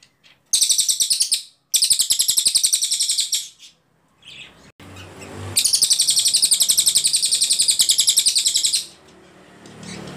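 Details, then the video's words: Ashy Tailorbird (cililin) with very clear long bursts, recorded as tutor song for training other songbirds: three high rapid trills of evenly repeated notes, the last lasting over three seconds, with brief pauses between. "CILILIN GACOR PALING JERNIH TEMBAKAN PANJANG"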